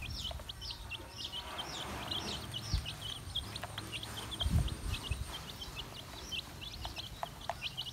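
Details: High, clear peeps from many baby chicks while feeding, repeated in quick overlapping runs. Sharp taps from pecking are heard, along with a soft low background rumble.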